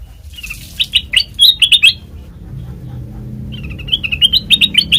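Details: Black-crested bulbul singing as a trapping lure; a quick string of bright chirps, a pause of over a second, then a rising, accelerating run of chirped notes.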